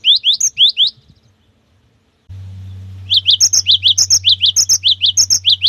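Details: Cinereous tit singing the long 'wucit wucit' style meant to provoke song in other tits. Four rising whistles, a gap, then a brisk string of sharp paired notes over a steady low electrical hum.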